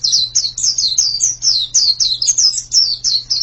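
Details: Sweet, high-pitched white-eye notes, each a quick downslurred whistle, strung together about four per second above a constant low hum.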